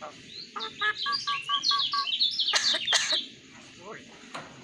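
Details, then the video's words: Hybrid myna, a mimic known for copying a cough, giving a rapid run of bright chirps and whistled notes, about four per second, then two sharp harsh bursts and a few scattered chirps. "Jalak Hybrid Bisa Niru Suara Batuk"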